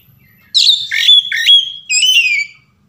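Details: Short burst of Oriental magpie-robin 'ngeplong' song used as a lure for singing: a loud whistle with rough, dipping notes, a clear sustained tone, then a final falling whistle before silence.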